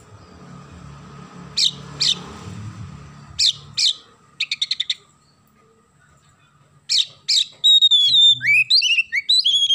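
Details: Oriental magpie-robin song with sparrow-call mimicry. Sharp chirps and quick rattled ticks come over a low hum, then loud whistled phrases with rapid downward swoops close the passage.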